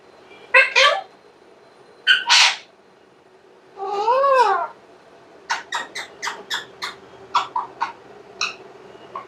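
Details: A pet Alexandrine parakeet, a bird kept at home that talks when undisturbed, gives harsh raspy squawks, then a wavering tonal phrase, then a quick series of short clipped notes.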